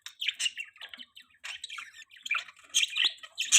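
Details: Budgerigars, kept as pets, chirping: a busy run of short, squeaky, warbling chirps and chatter in quick uneven bursts with brief gaps, several notes overlapping, no other sounds.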